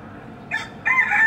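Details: Rooster crowing from a rooftop after morning rain in a neighbourhood: a short hoarse opening burst, a brief pause, then a loud, sustained, nasal crow held to the end.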